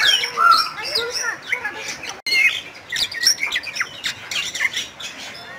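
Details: Bali myna, endemic starling of Bali's western forests, in chatty song: clear whistles and slurred notes, a brief break, then rapid harsh chips and squawks resuming.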